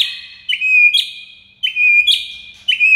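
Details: White-rumped shama tutor recording used to stir a mute shama: a loud clear whistle introduced by a crisp high snap, given three times in quick succession.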